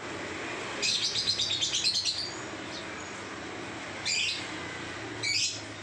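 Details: Lovebird singing in the continuous 'ngacor' style: a rapid high chattering trill of about a dozen pulses, then two short sharp chirps after a pause, over steady low background hum.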